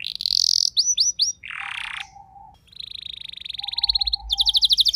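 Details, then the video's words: Household canary responding to a rival singer with rolling song: bright trills, a few slurred notes, a harsh buzzy burst, then a long smooth trill rising into a faster rattle. "Seketika Respon Kenari Rumahan Yang Kurang Gacor Langsung Nyaut Bisa Ngeroll Panjang"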